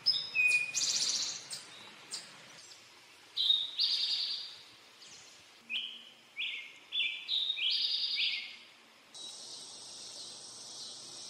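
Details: Male Eastern towhee singing its "drink your tea" song: short clear introductory notes followed by bright buzzy trills, repeated in several phrases with other high chirps overlapping.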